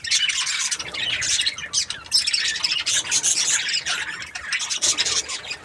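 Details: Cheerful budgerigar chirping, a steady high chatter of quick squeaks and trills with brief dips in loudness around the middle and end.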